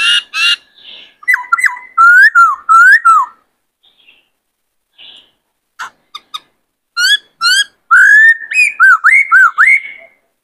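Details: Captive male White-cheeked laughingthrush, roused by a newly caught bird, sings a varied many-voiced song while displaying: rapid clear whistled phrases, rising and falling, in bursts with short pauses, plus harsher chattering notes.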